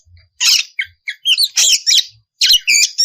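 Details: Oriental magpie-robin song meant to spur rivals to sing: harsh, buzzy, high-pitched scratchy notes mixed with brief whistles in rapid bursts, with faint low thumps.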